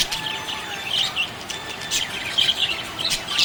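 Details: Happy budgerigar chirping, high warbled twitters and quick squeaky notes in short bursts, with brief quieter gaps between phrases.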